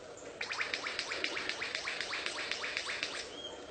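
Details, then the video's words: A lyrebird gives a fast run of loud, sharp, downward-sweeping notes, about four each second, with a brief thin whistle near the end. "super lyrebird making sounds"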